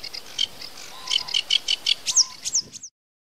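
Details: Varied sedge warbler phrase of separate chirps, short whistles and a few rising notes, spaced unevenly before ending abruptly in silence.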